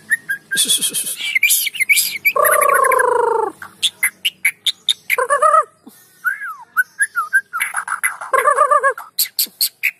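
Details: White-rumped shama song used as a lure recording to get lazy shamas singing: varied, loud phrases mixing high sharp chirps, rich buzzy harmonic notes around mid pitch, and quick slurred whistles in rapid bursts.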